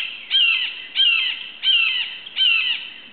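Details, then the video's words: Four loud, harsh, down-slurred screams from a red-shouldered hawk calling to its nest-mate, evenly spaced under a second apart, recorded in July 2011 near Suwannee River State Park, Florida, from a twig above a cleared lot. "the red-shouldered hawk calls out"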